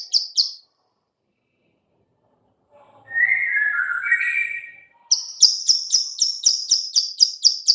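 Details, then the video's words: Bar-winged prinia female clicking call used as a lure: two high clicks, a pause, a lower wavering whistle from another bird, then a quick series of sharp high clicks. "suara klik- klik betina/ciblek sawah cocok untuk pancingan"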